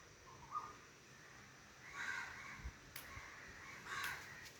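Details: Crows at daybreak under a clear blue morning sky give two harsh, hoarse caws about two seconds apart over a quiet outdoor background, with a brief thin whistle and a few clicks; crows then fly off.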